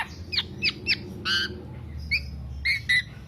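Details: Black-naped oriole singing nonstop, recorded as a lure or master recording for songbird keepers: short nasal, harmonic notes that sweep down and rise, given in quick bursts with a brief harsh buzzy phrase, over low background hum.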